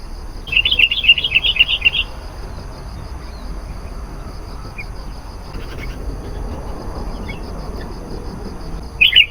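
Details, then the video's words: Sooty-headed bulbul song used as a lure to call wild bulbuls: a quick run of bright, bubbly notes in the first two seconds, then quiet background hiss, with one more short burst at the very end. "SUARA BURUNG KUTILANG GACOR. AMPUH MEMANGGIL KUTILANG LIAR.."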